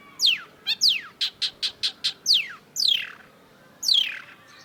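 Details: Long-tailed shrike in lively song: long descending whistled slurs alternating with a quick run of short, even, high chips, the slurs growing longer and more drawn out toward the end.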